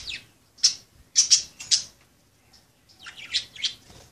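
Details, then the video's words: Budgerigars at play make loud, rapid chirps and harsh squawky notes in quick clusters, then a run of softer chattering notes after a brief pause. "Pericos australianos jugando"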